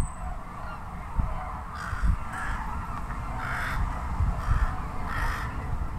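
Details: Rooks near the Izumi observation centre, Japan, from a flock that forages on farmland and is wary, give four or five harsh, hoarse caws spaced irregularly over a few seconds, over a steady low rumble of wind.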